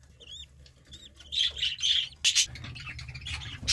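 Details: Budgerigar chicks in their nest as the nest box is opened: thin whistled chirps that bend up and down, then louder harsh squawky bursts in quick irregular succession, over low handling rumble.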